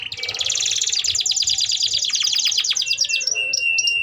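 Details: Canary singing lengthy song as a training lure for young canaries; fast buzzy trill slowing into separate dropping notes, then thin high whistles, with faint low background noise.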